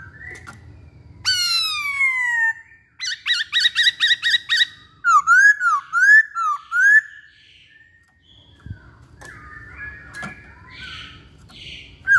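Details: Chinese hwamei in lively song: loud clear whistled phrases, a long descending slurred whistle, then rapid repeated notes and a series of rising-falling whistles about every half second, with some low background rumble and clatter.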